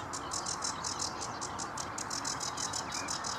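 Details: Sedge warbler song from Vange Marsh RSPB: a quick string of dry, buzzy chirps repeated several times per second, with one short rising whistle, over a low steady rumble.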